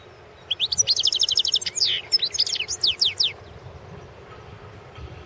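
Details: Competition goldfinch, 2016 world championship in song: one continuous phrase of fast, sweet twittering, a brief buzzy note in the middle, ending in sharp descending chips.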